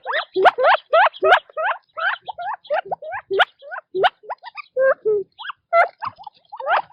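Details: Quail feeding and moving about in their natural habitat. They give a rapid, uneven run of short chirping notes, several per second. The notes are often rising or bent and overlap as if from several birds. No other sounds are clear.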